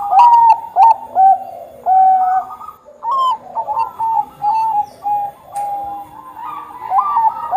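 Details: Bangkok-type zebra dove singing strongly as a lure for other doves; repeated loud, stuttering coo phrases in a choppy rhythm, with slightly softer cooing near the end.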